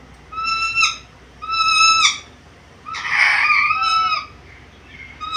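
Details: Black-capped lory, described as vocal, able to talk and varied in its sounds; two clear whistled notes with strong overtones, each ending in a short upward flick, then a harsh rasping squawk and another whistle.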